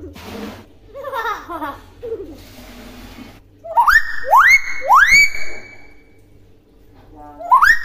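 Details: Tame common hill myna, kept as a talking bird, gives soft low chatter and then a run of loud whistles that sweep sharply upward and level off, repeated about every half second, with one more near the end.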